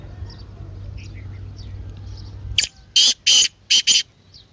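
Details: Partridge call meant to rouse a silent caged partridge into calling: after a low steady hum, a burst of loud harsh broadband notes, four in about a second, with faint distant chirps earlier.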